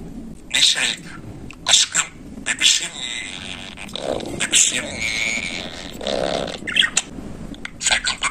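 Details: Talking budgerigar kept as a pet, a run of scratchy, buzzing word-like phrases and sharp clicks, some drawn-out warbled syllables in the middle, in a quiet room.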